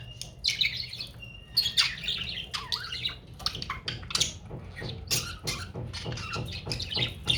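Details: Pet budgerigars playing in the afternoon chatter in a busy stream of high warbles, clicks and short squawks over a low hum.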